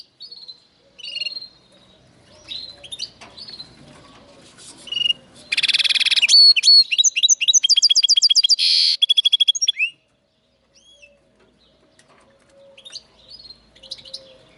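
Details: Song of a linnet x canary hybrid: faint twitters, then a loud run of harsh buzzy rattles and rapid repeated chirps lasting several seconds, fading back to quiet occasional notes.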